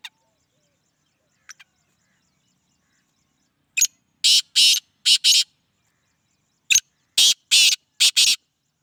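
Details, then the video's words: Black francolin calling: two phrases about three seconds apart, each a short click followed by four harsh, rasping, grating notes in a quick uneven rhythm. A few faint clicks come before the calls, with a quiet background otherwise. "Black Francolin Beautiful Voice"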